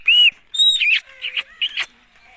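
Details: Indian ringneck parakeet mimicking speech: a pure arched whistle opens, followed by loud, buzzy, word-like phrases broken by brief pauses.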